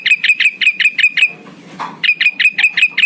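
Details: Lure call of a male Black-headed bulbul for calling rivals: two runs of quick, sharp repeated notes with a brief rustle and scraping sound between them.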